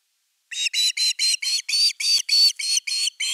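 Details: Nest-camera osprey at nest #3, 30 August 2021, evening fish delivery; a continuous row of about twelve shrill, slightly squealing whistled notes, evenly spaced, roughly four per second.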